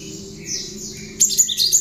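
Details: Hand-reared, tame cinereous tit whose song carries bar-winged prinia (ciblek) phrases, used to tutor other birds; a soft high warble, then several loud, quick, high whistled sweeps close together.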